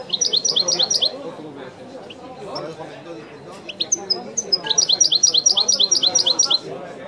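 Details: European goldfinch delivering authentic Wedani-style song: loud, rapid rhythmic trills of high twittering notes at the start, a pause of scattered chirps, then another long fast trill, with people chatting in the background.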